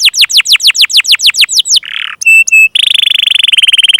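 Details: Canary singing as a lure for young birds and for canaries that have stopped singing: a run of rapid downward-sweeping notes, a short harsh burst, two clipped piping notes, then a dense, even high trill.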